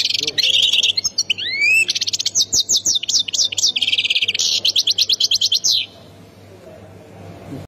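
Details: European goldfinch from Khemis Miliana, Ain Defla province, Algeria, singing a fast, dense twitter of buzzy trills, rapid repeated high notes and a rising slurred whistle, running about six seconds before stopping abruptly; a faint low hum continues underneath.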